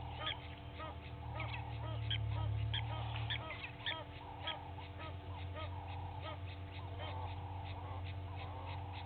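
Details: Egyptian geese from two families fighting at Gowrie dam waterhole, Djuma Game Reserve, Sabi Sand, South Africa, in the early morning; rapid harsh honks, about four a second, over a steady low hum.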